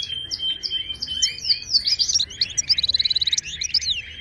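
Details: Wild Moroccan goldfinch, Ouidani style, sung as a lesson for caged birds: bright chirps lead into a quick evenly spaced trill of about a dozen notes, followed by a few more twitters.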